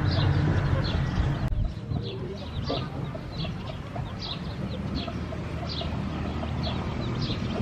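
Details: Chicken, with high, thin chirps repeated rapidly, roughly four per second and fairly irregular, over a constant low rumble of background noise.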